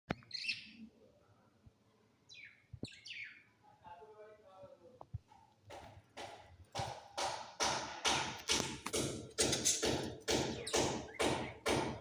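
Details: A yellow female budgerigar that has just laid eggs for the first time chirps, sharp and bright at first, then gives a fast run of repeated scratchy notes.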